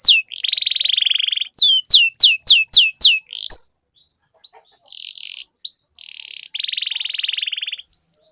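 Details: Long-rolling canary song meant to prompt other canaries into full song. It opens with a buzzy high roll, then crisp falling and rising sweeps about three per second, then scattered chips and another long buzzy trill.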